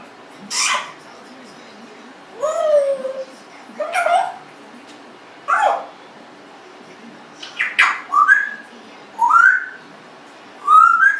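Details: Pet Congo African grey parrot aged 1.5 years calls in a series of short slurred yelps and whoops, some falling and some rising, about every one to two seconds.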